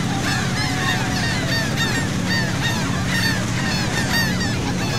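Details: Gulls over the sea at Saint Martin, Cox's Bazar, Bangladesh, heard aboard a boat: rapid, repeated curved squeals from several birds overlapping, with a loud droning boat engine throughout.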